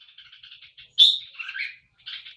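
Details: Caged red-whiskered bulbul in poi-sian (โป้ยเซียน) song style: soft chattering notes, then a sharp loud whistled note followed by bubbly descending warbles and a brief final chirp.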